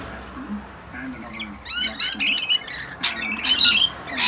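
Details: Wild rainbow lorikeets squabbling and squawking in a feeding frenzy on a balcony at dawn as the flock joins two young visitors; harsh, screechy bursts in dense clusters after a quiet start, with faint low murmuring underneath.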